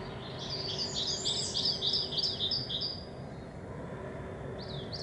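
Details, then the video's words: Coal tit singing in spring: a fast run of about ten high, thin, V-shaped notes repeated briskly for two and a half seconds, then a pause and a short high note at the end. Steady low background rumble. "È la primavera! cincia mora con sottofondo di cinciallegre e fringuelli"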